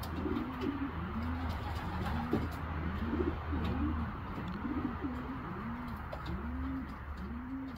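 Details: Young racing pigeons under training coo steadily: low arched notes rising then falling, repeated roughly every 0.7 seconds in a long even series, over a constant low hum.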